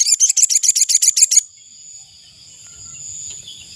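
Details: Ashy tailorbird decoy call for luring wild birds: a brisk series of about nine sharp, high chipping notes packed into under a second and a half, followed by near quiet with a thin ringing hum.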